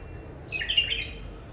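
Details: Newly caged wild bulbul from the Mandali area utters a soft, flowing warbled phrase of smooth sliding whistles lasting under a second, over light background hiss.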